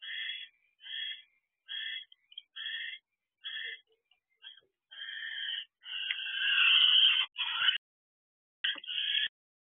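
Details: Barn owl pair in a nest box at 6:52 pm on 25 December 2023 as the male brings dinner to the female: quick runs of rasping bursts that build into a longer, louder drawn-out screech, then a few more harsh notes.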